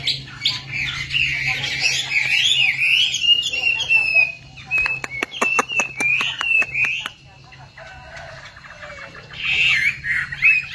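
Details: Yellow bird singing well: rapid, rich warbling whistles and chattering trills, continuous for about four seconds, then a series of sharp clicks with brief whistled phrases, and a final burst of warbling; a low steady hum underneath.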